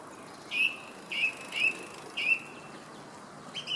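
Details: Song thrush singing in Herttoniemi repeats the same short, clear whistled phrase four times at roughly half-second to one-second gaps, then starts a fifth. The song stands out over quiet, steady background noise.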